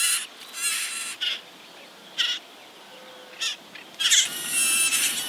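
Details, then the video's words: Marsh warbler song, a species known for mimicking many other birds: bursts of harsh, buzzy, high chatter broken by short pauses, with a brief clean whistle near the middle. "VARIASI KICAU MARSH WARBLER"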